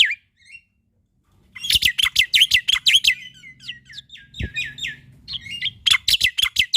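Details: Black-winged myna male singing full filler phrases for young starlings: long run of quick harsh notes, then trilled buzzy phrases and a final sharp burst.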